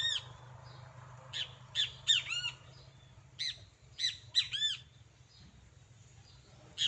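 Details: Harsh, buzzy arched calls from a great kiskadee pair outdoors, scattered singly and in short clusters of two or three notes, with quiet stretches and a low steady hum beneath.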